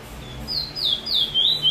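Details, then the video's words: Trinidad bullfinch (chestnut-bellied seed finch) giving its 'chee chor weet sweet roll' song, recorded 22/06/20: a soft opening note, then sweet downslurred whistles that grow louder toward the end. "Trini bullfinch chee chor weet sweet roll"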